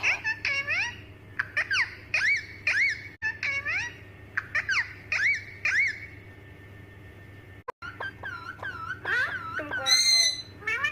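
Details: Talking parrot chattering nonstop indoors: a run of quick, harmonic, rising and falling syllables like slurred words, a pause, then more varied squeaky phrases ending in a high shrill whistle, over a low steady hum.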